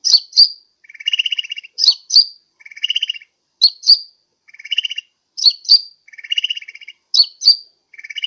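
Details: Sunbird lure for attracting birds, Pajampangan, Sukabumi: a repeated phrase of two sharp high chips followed by a buzzy rattle, cycling roughly every 1.7 seconds.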